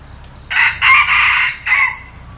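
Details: Full crow of a new red junglefowl decoy used to attract wild junglefowl: short first note, two long harsh sustained phrases, and a closing note that drops in pitch, with steady low background hum.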